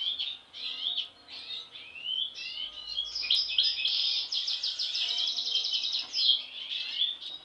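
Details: European goldfinch siblings, two born with an anomalous mask: rising and falling twittered notes build into a fast buzzy, rattling trill in mid-phrase, followed by scattered chirps.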